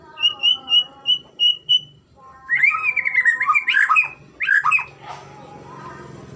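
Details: Murai batu (white-rumped shama) training recording: six short, clear, identical whistled notes in an even series, then a rich burst of varied, swooping whistles, fading into a hiss.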